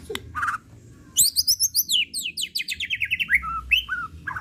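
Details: White-rumped shama pouring out its repertoire in an excited unrepeated lure recording: short low notes, then a rapid cascade of high bright notes dropping in pitch, closing with slurred whistles.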